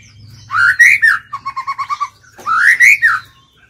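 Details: Captive White-rumped shama singing to lure and provoke wild birds into fighting: a loud swooping whistle, a rapid train of about eight lower repeated notes, then another swooping whistled phrase.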